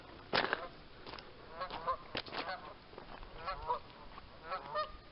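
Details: Many Canada geese gathered with ducks, calling in a loose chorus of nasal honks, some doubled and wavering, spread over five seconds with steady background hiss.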